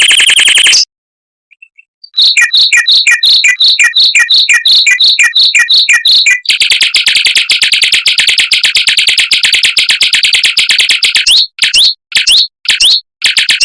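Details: Mockingbird song for tutoring white-rumped shamas, delivered as fast, tightly packed rolls in long bursts: high chirps repeated about three times a second, then a dense unbroken buzzy trill, ending in a few short sharp notes.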